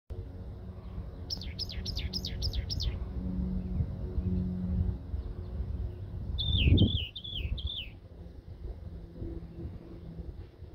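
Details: Wren singing in Palmer Park: two short bursts of rapid, repeated high trills, the first about six quick notes, the second a slurred descending series, with a low rumble of background noise and a brief thump between.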